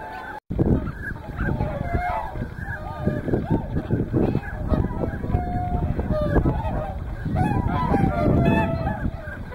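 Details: Mixed flock of whooper swans and tundra swans at Hyoko in Niigata, Japan, between morning and evening: dense, continuous honking from many birds at once, bugle-like notes stacking and overlapping, over a constant low background rumble.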